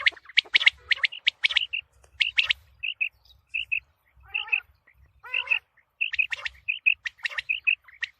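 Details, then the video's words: Common quail, described as a female calling, offered as a call for the coming wheat season: short, sharp paired notes repeated in quick bursts, mixed with a few harsher, lower squawking notes and brief pauses. "Quail sounds for coming season | چیتری بلارا آنے والے گندم کے سیزن کے لیے بہت اچھی آواز"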